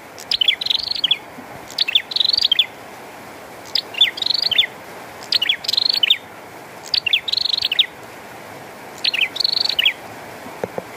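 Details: Bar-winged prinia singing persistently in the rain: six high phrases roughly every 1.8 seconds, each a few sharp descending notes running into a fast buzzy trill, over steady rain hiss.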